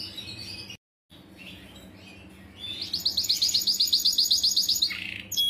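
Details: Energetic canary song meant to set young canaries singing; a quiet start with a brief dropout, then a rapid, even, high buzzing trill of about four notes per second that ends in a lower warble.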